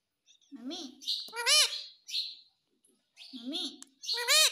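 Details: Pet parrot saying "mummy": paired voice-like phrases, a low wavering syllable followed by a higher arched harmonic one, repeated twice, with breathy hisses between.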